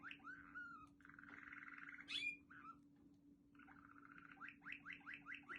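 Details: Quetta Waterslager canary singing varied tours: slurred whistles, a buzzy bubbling roll, then a fast run of rising notes, over a steady low electrical hum.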